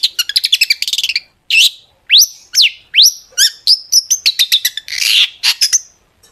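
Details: Long-tailed shrike singing a lure song of sharp 'tembakan' bursts to set other shrikes singing; a fast stuttering rattle, then strong rising whistled sweeps and quick chattering notes ending in a rasp.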